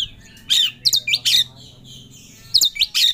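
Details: Agitated Oriental magpie-robin in 'ngobra' style, looking for a rival: loud, harsh, scratchy notes delivered in quick clusters, with a brief quiet stretch between two bursts and a low hum behind.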